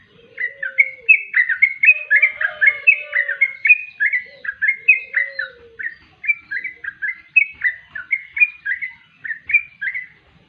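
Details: Yellow-vented bulbul song: a fast run of bright, bubbly chirped notes, each note dipping and rising, tumbling over and over for about ten seconds, with a softer lower warble beneath during the first half.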